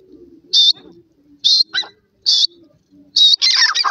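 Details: Young partridge and pheasant chicks roaming freely outdoors: four loud, short, high-pitched peeps come roughly once a second, followed by a harsh scratchy burst at the end, with soft low murmuring notes underneath.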